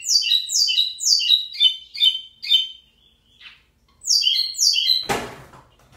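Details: Lined seedeater (local pico plat) singing strongly: sharp chirped notes dropping in pitch, about two each second, then a short pause, more notes, and a brief loud rustling thump near the end.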